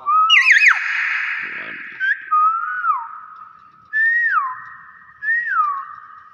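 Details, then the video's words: Nias hill myna opening with a quick wavering, warbled whistle, then several separate whistles that rise briefly and drop away, spaced one to two seconds apart. "BURUNG BEO NIAS SUARA ASLI"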